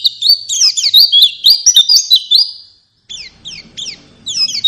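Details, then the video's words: High, fast white-eye warbling, meant as a lure to make a pet bird sing. Looping sweet notes run for nearly three seconds, pause briefly, then return as short clipped bursts. "Pancingan Burung Pleci Agar Ngalas Dan Buka Paruh"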